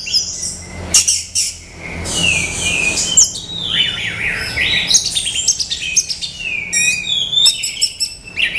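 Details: Dense, continuous song of a male orange-headed thrush, rich tumbling whistles and trills of varied pitch tumbling one into another with barely a pause.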